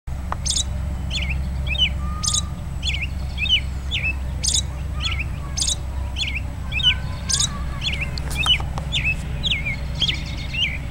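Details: American robin recorded in Woodlawn, Tennessee, on 13 March 2008: sharp, high chirps that sweep steeply downward, given about once a second in a loose series over a steady low hum.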